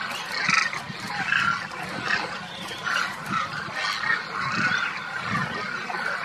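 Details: Demoiselle cranes in their Rajasthan wintering grounds near Kheechan, India; repeated rolling, croaking calls rise out of a massed flock chorus roughly every second, over low background rumble.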